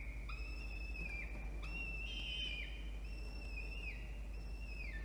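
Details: Peregrine falcons at their nest in Orange, Australia, spring 2021, mother feeding the chick after the father delivers a starling: a run of sustained whistled cries, each closing with a falling slide, about three a second, over a steady hum.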